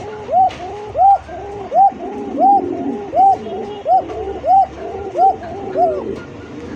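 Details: Farm pigeons in Kashimpur, Gazipur, Dhaka, Bangladesh give a steady run of rounded, arching calls, roughly one every 0.7 seconds, layered over a murmur of lower cooing.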